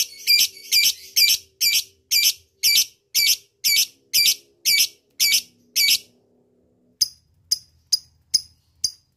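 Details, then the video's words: Lovebird lure to call a rival in ngekek style: a regular series of harsh, rasping high bursts twice a second, then silence and several sharp, thin ticks. "pancingan lovebird tercepat langsung nyaut ngekek"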